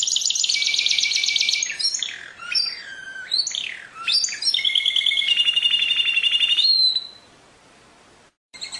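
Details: Canary in song, opening with a fast even trill, then falling whistled swoops, a long level buzzy roll, and a sudden stop into near silence.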